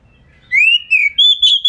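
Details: Oriental magpie-robin lure song, rapid and tight, tail spread, meant to trigger answers from other magpie-robins; a long rising whistle slides into a string of clipped, level whistled notes.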